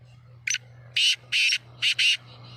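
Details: Black francolin (kala teetar) of the Sheedi line calling: one short sharp note, then four loud, harsh, grating notes in a quick phrase, the last two nearly joined, over a steady low hum.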